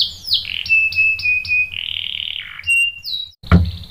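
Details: Canary singing, the song set off by a female used as bait, with a few sharp downslurred notes, steady whistled tones near one pitch, a buzzy falling phrase and a brief clipped note near the end.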